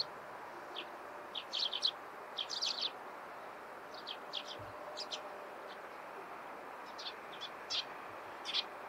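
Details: Morning chirping of Eurasian tree sparrows: scattered short high chips, singly and in small clusters, with pauses between bursts, over steady broadband background noise.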